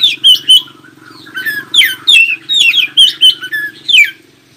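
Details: Oriental magpie-robin song intended to draw answering song from other magpie-robins: a fast, continuous series of loud, falling whistled notes, each sharply slurred downward, over a steady low hum.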